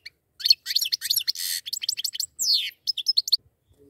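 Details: A pair of goldfinches in a fast, high twittering song: tinkling chirps and quick trills, a longer buzzy note in the middle and a down-slurred whistle near the end, with a clean, quiet background.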